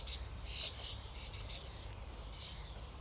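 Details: A common starling flock calls in a busy jumble of short squawks, whistles and buzzy notes, loudest at the start and easing off, over a low background rumble.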